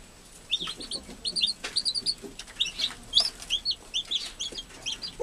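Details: Newly hatched chicks beside their caring American hen give quick, high, slightly rising peeps in irregular clusters, about two dozen notes in five seconds.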